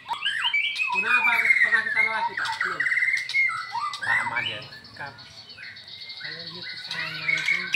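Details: Afternoon song from caged white-rumped shamas, one from Medan, set together for training; a long run of rich, rolling whistles and harsh harmonic notes, dense and continuous.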